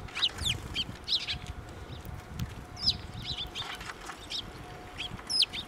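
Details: Sparrows flying in to be fed along a path at a Tenmangu shrine on 19 April 2024; short high chirps in quick irregular bursts from several birds, over low rumbling background noise.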